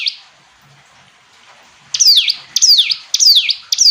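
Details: After a quiet start, a hill prinia bursts into strong, high, sharply falling notes, four in quick succession roughly every half second.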